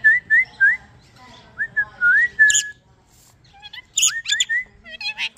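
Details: Blue Indian ringneck parrot talking: a string of clear whistled notes, each sliding upward, some quick and paired, mixed with a few sharper squeaky chirps.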